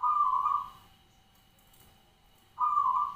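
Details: Local zebra dove (perkutut), a kept bird of the ground-nest katuranggan type, singing energetically: two loud, smooth, mellow coo phrases, each under a second long, separated by about two seconds of quiet. A faint steady hum lies beneath.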